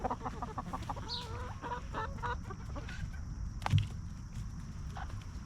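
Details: Hens living naturally on a backyard farm, roaming and feeding; a run of quick repeated clucks with tonal bands early on, then scattered softer notes, a sharp knock near the end and constant low background rumble.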